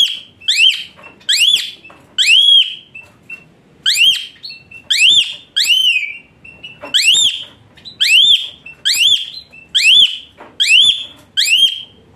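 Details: Asian pied starling with rich fill and hot bursts, played as therapy for a starling reluctant to sing: a long run of about fifteen loud arched whistles, rising then dropping, given roughly once a second with uneven gaps.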